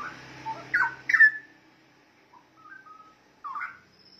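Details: Recording of a straw-headed bulbul for training songbirds: a low rumble at the start, then two loud liquid whistled notes, soft warbles, and a short rising phrase at the end.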